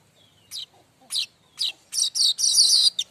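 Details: Mbeset-style streaked weaver song for training other weavers: separate sharp, scratchy notes that come faster and faster, merging into a rasping buzzy trill before ending abruptly.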